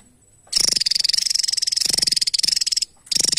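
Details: Javan tesia (Tesia superciliaris) song: a very high, rapid buzzy trill of fast even pulses, holding steady for over two seconds before pausing and starting again.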